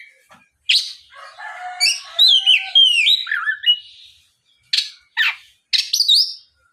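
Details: Oriental magpie-robin lure song meant to provoke other magpie-robins into singing back: a varied burst of sharp whistles, slurred notes and quick upward sweeps, then short clipped chips after a pause.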